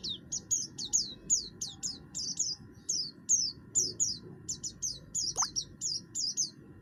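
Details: Oriental white-eye of the buxtoni race in full song, a harsh voice meant to provoke other birds into singing: high, thin notes slurring downward, about three a second, in a steady run over a low background hum.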